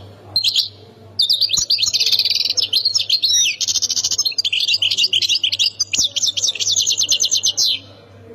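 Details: Goldfinch singing in the Khemis Miliana sector style, Ain Defla, Algeria: a long unbroken stream of high chattering, tinkling notes and rapid trills lasting about seven seconds, loud and close, over a low steady hum.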